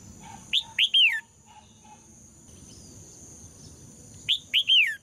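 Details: Female red-whiskered bulbul song, used to provoke males into singing strongly: two loud bursts of three rich, slurred whistles, each arching then falling, over a steady high hiss.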